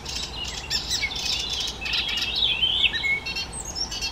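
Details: Icterine warbler, a songbird that imitates the voices and songs of other bird species; a fast, varied, continuous warble of high chirps, squeaky whistles and chattering notes with no pauses.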